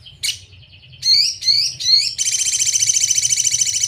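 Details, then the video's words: Sogon (Crimson Sunbird) masteran song in sejalur style, used to tutor cage birds: a sharp chirp and thin held whistle, three quick upswept chirps, then a long fast buzzy rattling trill, with a steady low hum beneath. "Masteran sogon sejalur paling mudah diingat || Suara asli sogon"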